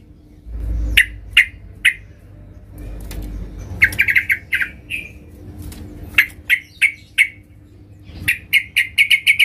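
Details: Calling female yellow-vented bulbul, a call meant to draw in the male: spaced single chirps, then clusters of quick sharp notes building into a fast closing run, with low rumbling noise between.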